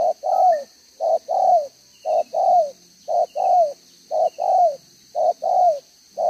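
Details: Spotted dove decoy in the 'đồng gáy 1 hậu' cooing style, recorded 11 June 2023: very steady short-long coo pairs, the second note swelling and dropping in pitch, roughly one pair per second over a quiet background.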